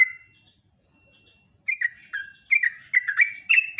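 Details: Morning song of a sooty-headed bulbul, heard live: after a single drawn-out whistle and a near-silent stretch, lively bubbling whistled notes start, rising and falling in short bouncy groups.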